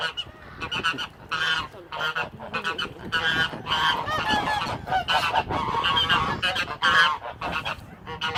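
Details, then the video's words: Domestic white geese at a lake honk loudly and harshly in overlapping, irregular bursts, roughly two calls a second, as two geese fight, others watch, and one goose breaks up the fight. "Geese Fighting Honking Goose Fight"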